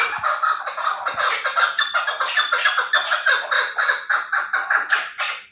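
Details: Terali chukar, a fighting and hunting partridge, delivering a quick run of rasping clucks, nearly three per second, evenly paced and loud for the whole five seconds.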